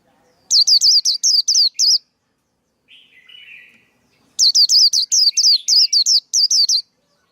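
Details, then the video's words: Used as a lure for trapping and for training young birds, a male white-eye sings two rapid bursts of high, downward-sweeping chirps separated by a pause with a faint, lower buzzy warble. "KHUYÊN TRỐNG. Tiếng chim khuyên kích bổi, kích trống, luyện giọng bổi, bẫy khuyên"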